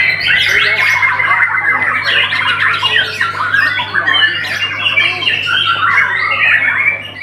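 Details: Loud, continuous white-rumped shama song mixing clear whistled notes, rapid slurred trills and rasping squawks in quick varied phrases, over a faint low hum.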